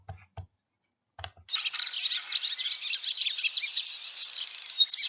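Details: Barn swallow sound played for comparison with the swift: a busy twittering chatter of high chirps and warbles, ending in a quick rattling trill, after a few faint low knocks.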